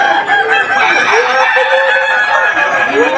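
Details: Kukuak Balenggek chickens in a 2025 Boko final crowing contest in Sawahlunto, West Sumatra, the breed noted for multi-step crows. A thick chorus of overlapping crows fills the recording, with short arched notes repeating and steady crowd noise.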